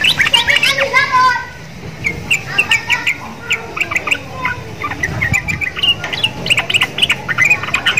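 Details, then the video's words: Sooty-headed bulbul in a cage, housed next to Javan mynas and said to copy their sound, opens with a harsh, rich scratchy call, then choppy chirps and quick clicking notes repeated in short bursts. "TRUCUKAN GACOR !!! MENTALNYA SEPERTI JALAK KEBO"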